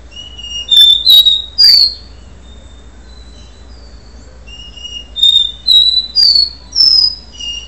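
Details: Capuchino seedeater before its moult, singing the do-re-mi song style: clear pure whistled notes, each held briefly at a steady pitch, a phrase of three notes, a pause of about three seconds, then four more whistles stepping between low and high pitches.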